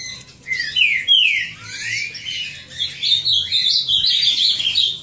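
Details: Cockatiel chicks at a breeder, giving dense high squeaky chirps and rising-falling whistled notes, overlapping continuously with no pauses.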